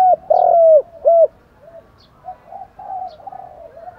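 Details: Male and female spotted doves calling as a decoy to stir wild doves: two loud, hollow, arched coos open the clip, then softer, murmuring coo notes follow.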